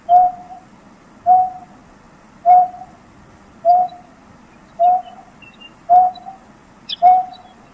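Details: Greater painted-snipe in Taiwan, where it is common in low-altitude wetlands: seven soft, low, hollow hoots, each a steady mellow note repeated about every second and a quarter, over a faint background hum.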